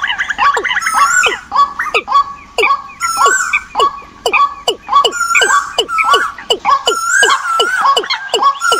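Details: Migrating-season decoy birds calling in a thick chorus: steep downslurred notes and wavering, rising whistles repeat in rapid, uneven rhythm throughout.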